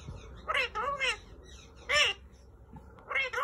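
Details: Pet male green Indian ringneck parakeet mimicking speech in a room: short, high-pitched, squeezed word-like phrases in four bursts with gaps between them, and a faint background hum.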